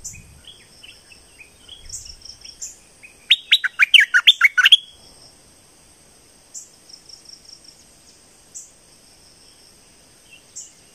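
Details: Streak-eared bulbul from southern Thailand in lively song: a burst of about a dozen quick, bubbly, downward-slurred notes lasting under two seconds, over a steady thin high whine and scattered faint high chirps from other birds.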